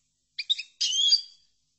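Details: European goldfinch, chordonier song style used for training other goldfinches: two or three short bright notes, a gap, then a sustained buzzy, tinkling high phrase fading out after about half a second.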